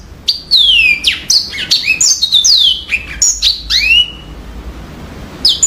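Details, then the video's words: Yellow-fronted canary in continuous high song: bright downslurred whistles, quick chips and rising sweeps tumble together for about four seconds. A short pause follows, then a final note. "kicau burung MOZAMBIK super jernih"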